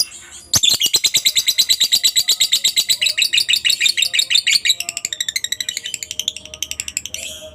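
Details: Master recording of a lovebird's long ngekek used to train other lovebirds: a sharp onset, then rapid repeated high rasping pulses forming a sustained chatter, loosening into spaced ticking notes during the last few seconds.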